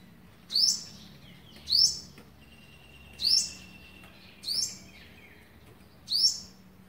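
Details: Olive-backed sunbird feeding young, day 11, recorded 27 November 2019: five shrill rising chirps roughly every second, with a faint thin whistle drawn out in the background.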